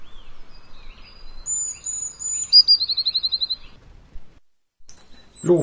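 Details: Eurasian blue tit singing in a garden: a few sharp, very high whistled notes, then a fast, regular trill stepping slightly downward, followed by a quiet gap and a burst of human speech at the end.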